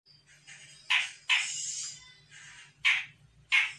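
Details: Young untrained Sumatran grey-cheeked bulbul answering a lure call: loud, harsh, rasping notes in uneven bursts, with a faint low hum underneath.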